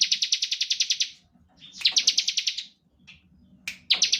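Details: Bar-winged prinia singing an active ngebren song to draw out other prinias: a fast, evenly pulsed buzzy trill, a pause, a second shorter trill, then a faint chip and a final burst of quick high notes.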